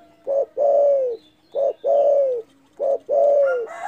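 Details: Loud spotted dove call meant to rile rivals: three phrases, each a brief hollow coo followed by a longer, gently falling coo, spaced about every one and a half seconds; faint chirps at the end.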